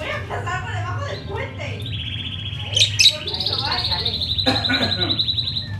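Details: Two white Fischer's lovebirds in their cage, hatched in November 2015, recorded on 27 December 2015 at 11:52; chattering squeaks give way to a sustained high buzzy trill broken by sharp loud chirps, with low hum beneath.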